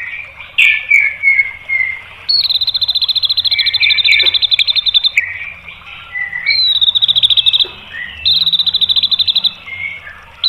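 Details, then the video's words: White-rumped shama song meant to stir other birds to sing: chattering and warbled phrases alternate with several bursts of fast, high, rattling repeated notes, some ending in abrupt clicks. "MASTERAN MURAI BATU memancing EMOSI JADI NYAUT"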